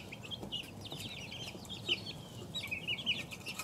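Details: Two-week-old chicks giving high, short peeps and trills, a few louder notes standing out above a steady low hum.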